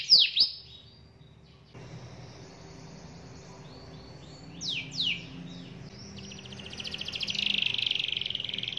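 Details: Canary lure song meant to make canaries sing freely: a sharp chirp, then a quiet gap, a few swooping descending notes, and finally a rising buzzy trill that grows louder toward the end.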